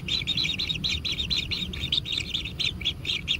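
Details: Begging kingfisher nestlings at a natural nest while being fed: insistent, rapid, raspy chirps following one another without a break, over steady low background noise.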